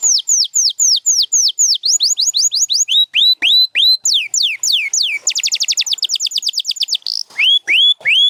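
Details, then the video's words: Canary singing loudly and continuously: a run of downslurred whistled notes, then deeper rising sweeps, a rapid rattling trill of short notes, and finally slow upslurred whistles repeated about three times a second. "7 Days to a Singing Canary"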